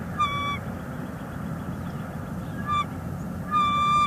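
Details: Female bald eagle at a Northeast Florida nest in February 2021 calls toward her mate on a nearby branch: three high whistled notes, the last long and level, against a constant low rumble.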